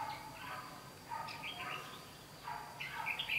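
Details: Red-whiskered bulbul decoy singing in a fight trap: short bursts of bright, warbled notes, rising and falling, come in separate phrases about every second, with faint background noise.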